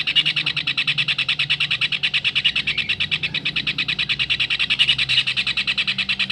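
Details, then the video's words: Kingfisher recording meant for tutoring songbirds: a continuous, rapid series of sharp, shrill, harsh notes, about three each second, steady throughout with a faint low hum beneath. "Tengkek raja udang masteran untuk burung kicau"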